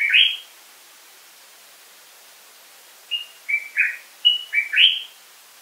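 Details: Common bulbul (Pycnonotus barbatus) of Africa giving a short warbled whistle, then after a silence a run of six quick, slurred whistled notes stepping up and down, each distinct and clear, with little background noise.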